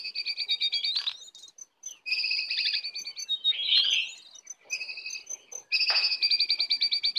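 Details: A wild Oriental magpie-robin approaching aggressively delivers fast repeated high trills in separate bursts, with a buzzy slurred note in the middle and short silences between phrases.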